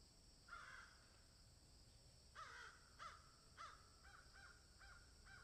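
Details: Crows calling in a field, a mixed scene with a swallow and an egret: harsh nasal caws, one at first, then a run of repeated caws about every half second, over a steady background hiss.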